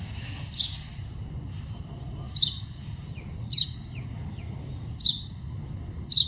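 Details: Wild bird recorded in nature, giving sharp, high chirps in single bursts, five of them roughly every one and a half seconds, over a steady low rumble of background noise.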